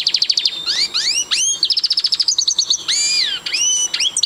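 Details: Siberian goldfinch song, lively and unbroken: quick twittering pulses at the start, then rising slurred whistles, a sustained buzzy trill and sharp upslurred notes at the end.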